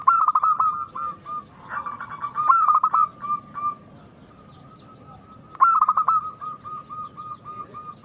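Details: Local zebra dove singing loudly as a lure for other doves: several bursts of rapid staccato coos rise above a continuous hum of cooing from other doves, with quieter gaps between the bursts.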